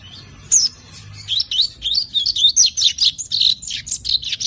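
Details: Juvenile lined seedeater, five months old and still learning its Tui Tui zel zel song, delivering a continuous stream of high, slurred warbling notes rising and falling quickly, each note run into the next.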